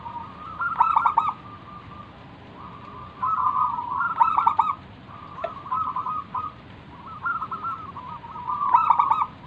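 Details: Lure zebra dove, a local wild bird used to prompt other doves to reply and sing, delivering a series of bubbling, warbled coo phrases, each with quick stuttered notes and a fading tail, recurring every two to three seconds.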